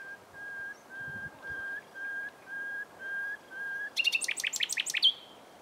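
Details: A nightingale singing in bushes on 27 April 2021 gives seven drawn-out, evenly spaced piping whistles, each rising slightly in volume, then bursts into a rapid, loud rattling flourish.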